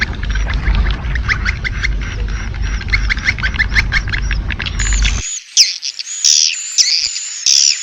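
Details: Edible-nest swiftlet lure sound for calling swiftlets: rapid sharp chirps and clicks over a loud low rumbling noise for five seconds, then clean, high, thin twittering trills in short bursts with the background gone.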